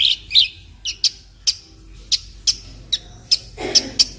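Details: Kolibri ninja, the olive-backed sunbird, singing for a masteran recording meant to teach other birds: well-spaced, sharp, high chips about every half second after an opening warbled phrase.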